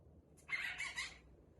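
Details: A male cockatiel imitates the phrase "hello baby" in a raspy, high-pitched voice.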